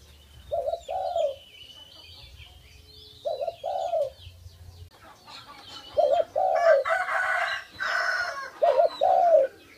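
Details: Tame dove kept as a pet gives its two-part coo four times, short wavering note then longer falling one; other birds chirp high above, and a busier burst of chicken-like clucking overlaps the later coos.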